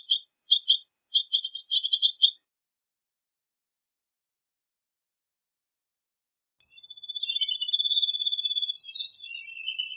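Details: Two-barred crossbill song: a few quick groups of dry, clipped chip notes, then a silent gap of several seconds, then a steady high buzzy trill that runs to the end.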